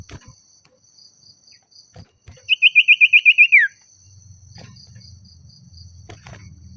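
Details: Agitated common iora calling out a rival, a fast even series of about nine sharp chipping notes ending in a falling slur, with low rumbling background noise and a steady high hum.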